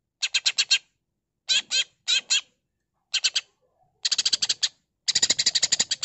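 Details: Greater green leafbird (cucak ijo), singing actively in the ngentrok style with mimicked fill-in phrases: clusters of harsh, buzzy, rapid notes in short bursts separated by pauses, the last bursts longer and denser.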